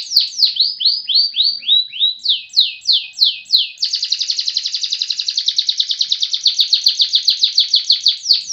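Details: Canary singing energetically. A series of slurred, descending whistled notes repeats about four times a second, then breaks into a long, rapid, buzzy trill that runs to the end.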